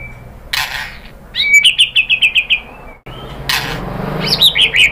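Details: White-rumped shama lure song: a burst of noise, then a quick string of about eight bright repeated whistled notes, a brief pause, and more high rapid warbling near the end.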